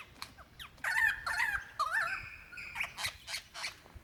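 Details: Lyrebird in Dandenong Ranges National Park, Victoria, February 2016, calling for a female: warbling, wavering whistled phrases layered with rasping bursts, followed by short noisy rhythmic pulses.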